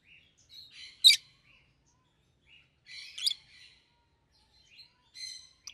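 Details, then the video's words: Two rosy-faced lovebirds kept as pets, a yellow and a green one, both red-headed. Spaced harsh chatters, each climaxing in a sharp squeak, come about every two seconds with soft twittering between. "Lovebird's Sounds - Lemon & Melon - Rosy-faced Lovebird"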